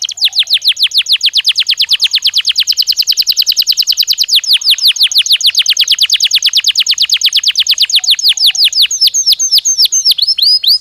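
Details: Belgian canary song used as a training stimulus to warm up a bird and prompt it to sing. Fast, even trills of sharp repeated notes, about eight per second, changing tempo and pitch between rolls.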